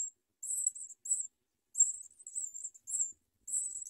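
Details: House sparrow nestlings begging while their mother feeds them and they bite at her. Shrill, very high squeaky bursts come in uneven clusters, some long and wavering, separated by short silences.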